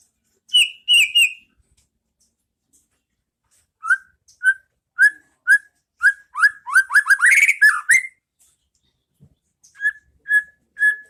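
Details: Masteran of a white-rumped shama in ngeplong style for caged birds to learn: three high whistles, a gap, evenly spaced whistles, a fast rising trill, then steady whistles again.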